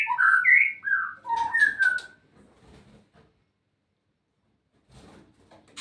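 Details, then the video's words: White-rumped shama kept for polygamous breeding, singing a brief burst of clear, slurred whistles, rising and falling notes packed into the first two seconds, then near silence with faint rustling and clicks. "MENERNAK MURAI BATU BERPOLAGAMI"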